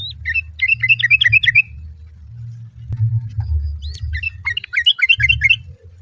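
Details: Sooty-headed bulbul female calling to the male with other birds joining in; a fast run of bubbly, wavering notes, a quiet pause, then another chattering burst over a low steady hum.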